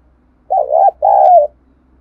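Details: Lure call of a spotted dove from Đồng Nai, Vietnam, for exciting decoy birds. A dipping throaty coo is followed by a longer steady purring note sloping gently down, over a faint low hum.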